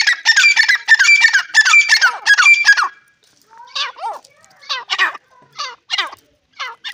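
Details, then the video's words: A Dakhani grey francolin calls in a fast run of harsh, repeated notes for about three seconds, then gives scattered, shorter, separate notes. "Dakhani teeter ke masty ❤️ teetar ki awaz teeter ke voice"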